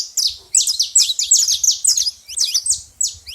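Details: Saffron finches calling loudly at a feeder: quick, high, ringing chirps with sharp downward slurs, packed closely together, with faint low knocks beneath.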